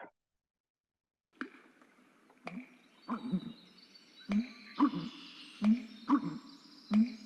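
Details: An American bittern gives its pumper-lunk call, deep, liquid, gulping booms repeated in quick series, low and bassy, a wetland sound that carries a great distance, with faint background hiss.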